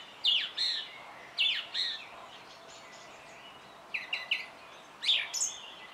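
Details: A song thrush delivers loud, sharp high phrases, each repeated two or three times, with chattering notes and pauses between bursts over faint background noise.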